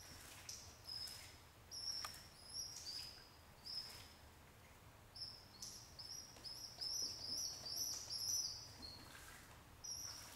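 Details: Squabs of a pet pigeon begging during feeding by their widowed father: strings of high, steady peeping squeaks come in bursts, pausing now and then, with soft rustling and scuffling between them.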